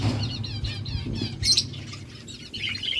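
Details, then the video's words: Budgies chirping and talking to each other in a fast run of warbled, wavering chirps and squeaks, with bursts of higher notes, over a steady low background rumble. "Beautiful birds chirping sounds budgies talking to each other"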